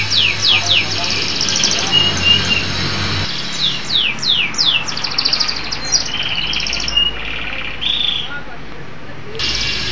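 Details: Song of a local canary, with chattering trills and sweeping whistled notes mixed with short pure tones, over a noisy low background with breaks.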